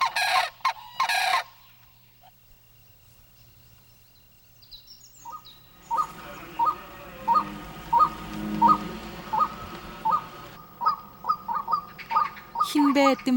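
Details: Male White-breasted Waterhen calling in the breeding season, louder as mating nears, deep loud calls showing his quality to females: a loud burst of noise at the start, a quiet gap, then evenly repeated hollow notes, more than one per second.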